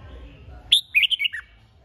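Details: Red-whiskered bulbul, an untamed bird kept over two seasons, originally from Hoà Bình, recorded 3 March 2023: a brisk phrase of five or six bright, slurred whistled notes, the first rising sharply, then a quick bubbling run that drops at the end.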